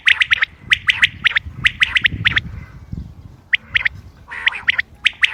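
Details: Common quail calling, recorded 28 May 2025 for hunting use: bright triple-note phrases of sharp, abrupt pips repeat rapidly, then pause before a further run of clipped notes, with a faint low rumble underneath.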